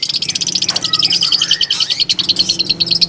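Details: Long-tailed shrike in its native habitat producing a rapid, nearly continuous high chatter of about three notes per second, with brief lower slurred whistles mixed in.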